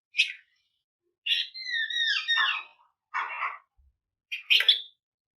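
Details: Flamboyan song for stimulating other birds to sing, featuring a drawn-out descending whistled phrase between short chirps and a harsh rasping note.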